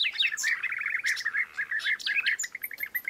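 European bee-eaters calling in a busy chorus of rolling, liquid 'prruip' notes, repeated many times a second, with higher chirps overlapping.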